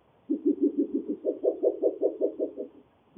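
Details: Breeding pair of Spectacled Owls duetting in Guanacaste, Costa Rica: a rapid series of about fourteen hollow, knocking hoots over two and a half seconds, the first five lower-pitched, the rest higher, ending in a slight fade.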